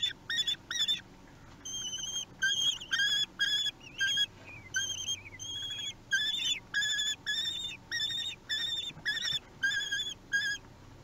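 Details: Three-week-old common kestrel chicks begging during a feeding at their nest, Théding, France, 8 June 2021: shrill, wavering whistled squeals with strong harmonics, in short bursts repeated about twice a second without pause.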